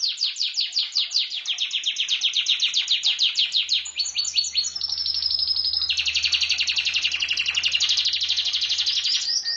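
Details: A pet canary sings a long string of rapid descending slurred notes, moves into a brief steady whistle, then a dense, high, fast-rolling trill; a low hum sits underneath.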